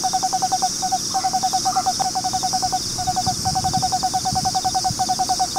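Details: A male Eastern screech owl in his nest box in Austin, Texas, where a pair has nested for four years, gives a steady, even-pitched trill of rapid hollow notes in short runs with brief breaks, over faint hiss.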